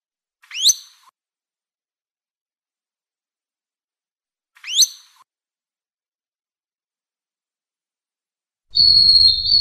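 Long-tailed broadbill giving two sharp, shrill whistles that rise steeply, about four seconds apart. A steady high buzzing tone cuts in at the end.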